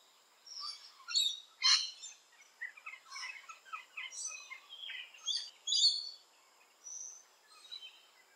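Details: Rainbow lorikeet in a garden, with scattered harsh screeches and squeaky, chattering notes of varied pitch arriving irregularly over several seconds against a faint steady hiss.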